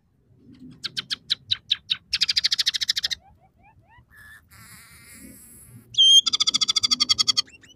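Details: Scaly-breasted munia song rich in fill-ins from house sparrow, red siskin and canary: rapid buzzy trills and pulsed rattles, a few soft rising slurs, a high thin twitter, then a loud sharp note leading into another fast trill.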